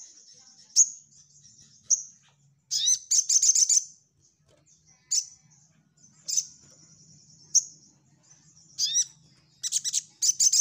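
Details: Orange-headed thrush (sogok ontong) in lively 'nyecret nembak' song used to train other birds: high, thin whistled notes alternating with bursts of rapid buzzy rattling trills, repeated every second or so over a faint low hum.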